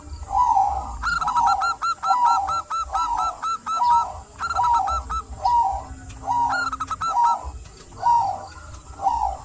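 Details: Local zebra dove singing steadily, played to coax silent doves into song: rapid staccato cooing phrases near one pitch, each about half a second, repeated roughly every second with short gaps, faint background hum.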